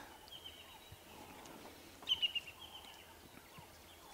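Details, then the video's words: A woodland kingfisher at sunrise on 1 August 2016 on an African safari drive, near a courting lion pair, gives a brief run of three or four sharp, high notes over a quiet outdoor background. "You can hear a woodland kingfisher going."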